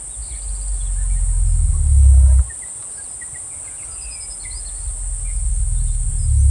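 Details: Cassowary, a solitary forest bird, giving its very low booming call that carries through dense foliage. Deep rumbling swells rise and cut off abruptly, then build again, under a steady high hiss and faint scattered chirps.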